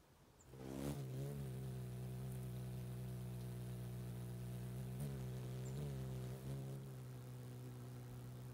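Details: An adult male Ruby-throated Hummingbird, visiting close to the camera for a sip, makes a loud, deep, steady wing hum that wavers slightly in pitch for about six seconds before fading away.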